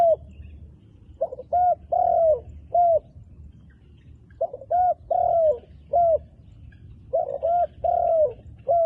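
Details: Wild dove, a handsome bird with dark black plumage, cooing in three phrases of short notes followed by a long, downslurred coo, with quiet rural background hum.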